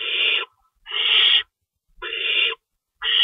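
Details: Owl nest at feeding time, 3:53 AM, March 25, 2012. Four loud, harsh hissing screeches of about half a second each are separated by half-second pauses.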